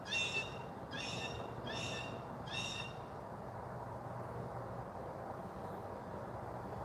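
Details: Blue jay in West Edmonton, one of two present, giving four harsh, nasal jeers about a second apart, then falling quiet, over a steady low rumble of outdoor noise.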